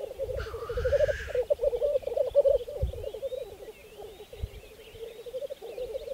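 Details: Black grouse, spring 2014 lek on Saaremaa, Estonia: a harsh hissing sneeze opens, followed by a throaty, warbling bubbling chorus, with low thuds and faint whistles of other birds.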